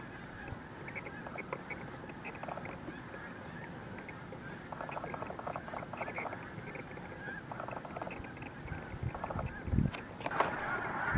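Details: Snow geese erupting in a mass takeoff at Montezuma, New York, on 7 March 2023: a dense, overlapping chorus of nasal honks from many birds, swelling in bursts, with low wind rumble and a few sharp louder honks near the end.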